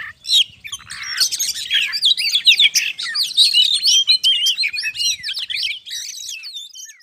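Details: Oriental magpie-robin in energetic 'ngobra' song meant to provoke other birds into singing: a nonstop torrent of high, scratchy chatter mixed with rapid whistled trills and buzzy notes, fading at the close.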